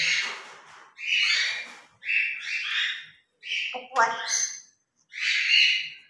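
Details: Captive grey parrots chatter during their morning play: five or six short harsh, word-like squawks, each about half a second to a second long, separated by brief gaps, with one lower voiced burst among them.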